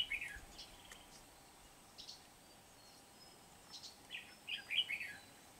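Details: Red-whiskered bulbul used as a decoy to lure and trap wild bulbuls at Kim Bôi, Hòa Bình, Vietnam, on 8 September 2019: short bright warbled phrases near the start and a livelier burst around the fifth second, quiet background hiss.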